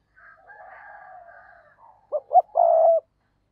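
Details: Caged decoy spotted dove calling to lure other doves, voice style giọng thổ sấm; a soft rolling lead-in, then two short clipped notes and a long, loud, steady low coo.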